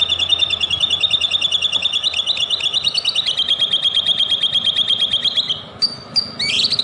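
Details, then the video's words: White-rumped shama lure song meant to provoke singing: a long, rapid, evenly pulsed buzzy trill, held steady for over five seconds, ending with a few sharp whistled notes. "DENGERIN KICAUAN INI,PANCINGAN MURAI BATU"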